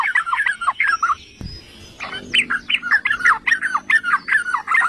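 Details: Yellow-vented bulbul song used as a lure to provoke other bulbuls into singing: bubbly, chortling phrases of quick warbled notes, repeated in short bursts, with a brief pause and a soft thud near the middle.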